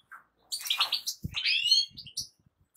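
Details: A brief European goldfinch phrase of tinkling, high chirps and slurred twitters, with a few soft low thumps in the background.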